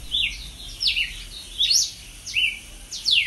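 Red-cowled Cardinal singing clear, high whistled phrases with sharp downslurs and rising notes, about five phrases in three seconds, over faint background hiss.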